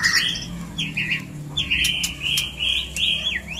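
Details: White-rumped shama, a mating lure for breeding: rough buzzy high phrases and rasping notes repeated in short bursts, with sharp clicks between them.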